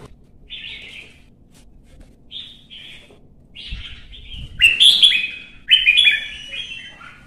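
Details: Caged red-whiskered bulbul in competitive singing: soft short whistled notes at first, building into loud, sharp, bright slurred phrases near the end.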